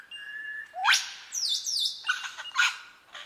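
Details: Superb lyrebird, called the bird of a thousand voices, singing mimicry: a steady whistled tone, a sharp upward sweep, then descending slurred whistles and clicking notes.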